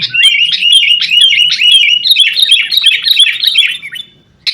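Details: Lively, excited sooty-headed bulbul chatter used to coax caged birds into song. Quick, clipped whistled notes pour out almost nonstop, then fade out near the end.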